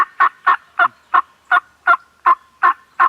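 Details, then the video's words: Domestic turkeys gobbling at a farm: rapid, regular pulses of throaty rattling notes, about ten bursts in three seconds, each a short gurgling burst with a steady tone underneath between calls. "Turkeys Are Gobbling"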